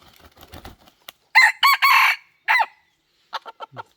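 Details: Decoy rooster giving a loud broken crow of several harsh, buzzy segments, the middle one longest. Faint rustling and low thumps come before it, and a few quick soft clicks or clucks follow.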